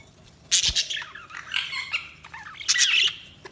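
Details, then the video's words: Budgerigar chatter: bursts of scratchy, warbling chirps in two clusters separated by a brief lull, with a dull knock early on. "Budgies Sounds| Budgies Chirping sound"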